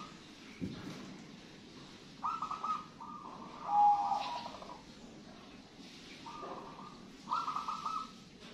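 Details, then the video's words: Local wild-type zebra dove cooing: soft, mellow, rolling coos in short phrases with pauses between them, over a steady background hum and some low room noise. "PERKUTUT GACOR MANGGUNG"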